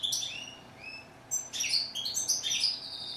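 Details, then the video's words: Goldfinch (steyla) giving a few thin rising whistles, a brief pause, then a quick bright twittering phrase with slurred high notes. "Song of bird goldfinch"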